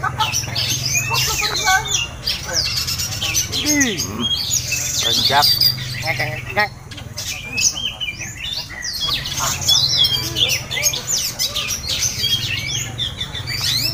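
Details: Kacer, the oriental magpie-robin, in a mock contest setting used for mental training: a busy stream of varied whistles, trills and chattering notes, some sliding downward, over a continuous low hum with faint voices mixed in.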